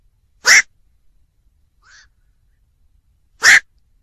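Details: Black-crowned night heron: two loud, raspy squawks about three seconds apart, with a faint, softer rising note between them; otherwise quiet.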